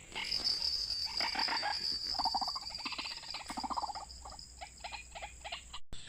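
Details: White-breasted waterhen recording used to lure birds into a trap: bursts of quick, croaking pulsed notes, partly overlaid by a bright high buzzing tone and a steady electronic whine.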